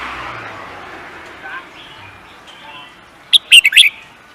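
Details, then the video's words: Contest bird, prized when it wins singing races, bursts into one quick series of five piercing, down-slurred chirps near the end, following a few seconds of faint murmuring background. "The Beautiful Bird singing"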